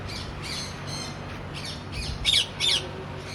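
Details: Pet macaw kept at home that likes to go outside, giving harsh, raspy squawks in quick, uneven bursts, two louder ones near the end, over faint background hiss.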